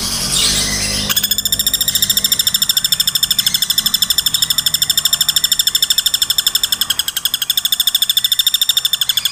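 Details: Non-stop woodpecker rattle used to train songbirds: a fast, even series of sharp high notes repeated about three per second for several seconds, after a brief noisy opening.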